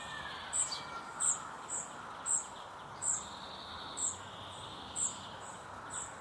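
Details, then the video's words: Spotted flycatcher chick begging its mother for food while she feeds it: short, very high, thin tsee notes repeated about once a second, over a steady hiss of rural background noise. "Птенец серой мухоловки выпрашивает у мамы еду"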